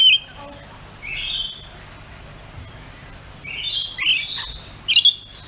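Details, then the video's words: Pet rainbow lorikeet making loud, harsh screeches in bursts, some with fast shrill rising-falling inflections, plus a few softer thin whistled notes between them; steady low hum underneath. "Rainbow Lorikeet Making Calls"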